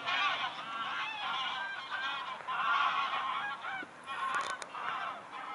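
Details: Large gaggle of geese overflying Eaton Hall, Cheshire, England, on 28 August 2022; continuous chorus of overlapping nasal honks from many birds, steady throughout, with a few sharp clicks near the end.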